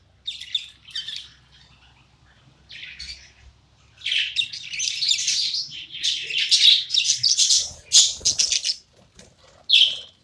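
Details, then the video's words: Pet budgerigar singing in a happy mood; continuous chattering warble of buzzy, scratchy high notes in irregular bursts, pausing briefly, then a long dense stretch of chatter and a final short burst. "My super duper unique parakeet singing"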